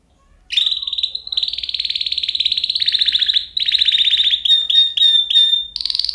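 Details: Canary song: a sustained fast trill held at a steady pitch for several seconds, shifting into buzzier rolls, then short clipped whistled notes at the end.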